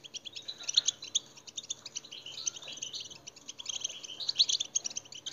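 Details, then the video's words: European goldfinch song played to stimulate captive goldfinches: quieter, rapid tinkling twitters with scattered sharp high notes over a faint low hum. "muhteşem saka huylandırma 2021"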